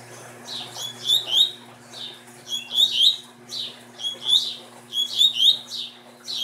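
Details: Coleiro (double-collared seedeater) from a breeding line, singing short phrases of rapid slurred whistles and buzzy notes, each phrase a little over a second long, repeated roughly every two seconds, with a steady low hum in the background.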